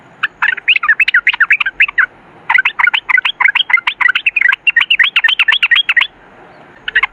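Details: In rapid 'ropel ngalas' style, a yellow-vented bulbul pours out dense bursts of sharp chirps and warbles, two long runs of many quick notes split by a short gap.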